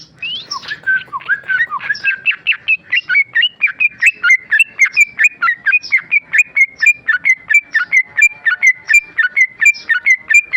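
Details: Tame male sooty-headed bulbul, kept caged, in a long sustained song of brisk repeated whistled notes, starting with lower slurred phrases and settling into an even, rapid string of bright chirps.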